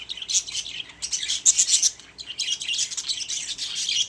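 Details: Several pet budgies in a cage chatter almost without pause, a dense mix of squeaky chirps and scratchy warbles with one short lull.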